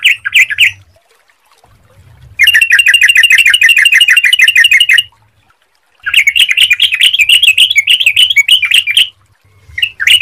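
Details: Bright, chattering yellow-vented bulbul song played as a lure so other bulbuls start singing soon: rapid, bubbly phrases in long bursts separated by short pauses, with a faint low hum beneath.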